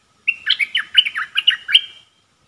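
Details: Decoy Red-whiskered bulbul kept in a cage for luring wild birds. It delivers a fast, lively 'dok' phrase of about ten chirpy, slurred whistles in under two seconds against a quiet background.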